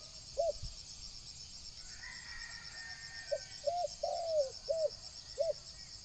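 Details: Spotted dove cooing as a decoy to lure wild doves: one short, soft coo early, then a run of five low coos, one slightly drawn out, over a steady high hissing drone.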